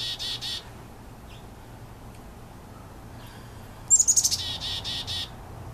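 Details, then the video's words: Chickadee at its nest: a quick run of high, sharp notes sliding downward, then several hoarse, buzzy notes in fast succession, after an earlier brief high burst. "chickadees calling"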